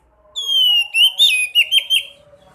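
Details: Sekoci singing to coax caged birds into song: a long, clear downward-sliding whistle, then a quick series of four or five loud, slurred notes.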